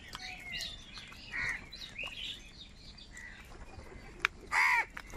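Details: Crows gathered in huge numbers squabbling over food. Two loud, hoarse caws ring out, one early and one near the end, over a background of softer chirps and chatter from the crowd.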